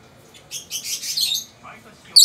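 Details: Two lovebirds, peach-faced and yellow-collared, calling back and forth indoors. A cluster of buzzy, high chattering notes is followed by a faint squeak and then one sudden loud shriek. Japanese television speech murmurs underneath.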